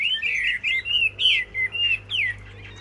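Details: Chinese hwamei in a caged singing contest: strong whistled phrases broken into short bursts, each a rich slurred warble, about five bursts in quick succession.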